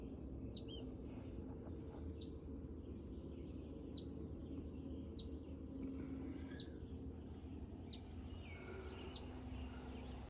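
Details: Eastern phoebe parent upset at a person near its nest under a porch: sharp thin chip notes repeated roughly every one to one and a half seconds over steady low background rumble.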